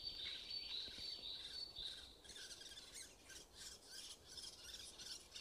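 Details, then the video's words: Woodpecker chicks inside a nest cavity at Blachownia, 23 May 2019: a thin, steady high hiss for two seconds, then a rasping, buzzy chorus pulsing about four times a second. "Dziupla dzięcioła z pisklętami"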